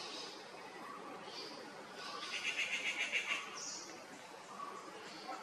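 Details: A pair of grey-fronted green pigeons in Kerala, India: a quick run of about seven short, clipped whistled notes lasting a second, over steady background hiss and faint distant calls.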